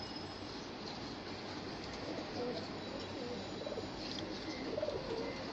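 Fantail pigeons give soft, low cooing notes against a steady, hissing background.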